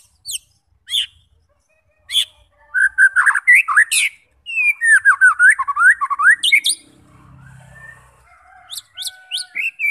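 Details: Lively white-rumped shama song used to stir fighting shamas into singing. Sharp high clicks open into a dense, varied stretch of looping whistles and rapid chirps, with a brief pause before more high notes.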